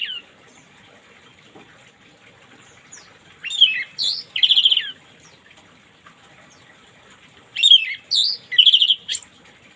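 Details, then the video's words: Orange-headed thrush in morning song, played as therapy for birds that stop singing: scattered sharp upward notes, then two bursts of loud, varied whistled and buzzy notes about four seconds apart. "terapi burung anis merah macet di pagi hari biar cepat ngplong"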